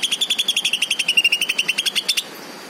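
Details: Green leafbird giving a rattling series of quick, bright notes for about two seconds, nearly level in pitch and rising slightly at the end, followed by quiet.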